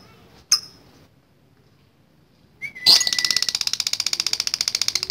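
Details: Lovebird performing the long ngekek song, used as a training recording: after near silence and a sharp click, a rapid high chattering trill begins about three seconds in, even pulses running steadily to the end.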